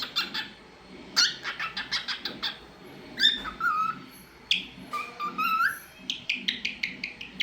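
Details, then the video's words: Talkative pet cockatiel singing and making different sounds indoors: rapid bursts of sharp chirps alternating with short rising and falling whistled phrases, repeated through the clip against a quiet room background. "Talkative Bird 🐦 Singing n Making Different Sounds"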